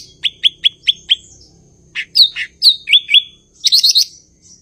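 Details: Cucak ijo, the blue-winged leafbird, opening with five evenly spaced short notes, then looping whistled slurs and a fast stuttering trill at the end.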